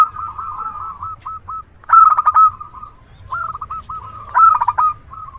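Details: Zebra dove, a local bird singing actively with a big voice and used as a reliable lure: softer trilled coo runs, then two loud clipped bursts of quick throaty notes about two and a half seconds apart.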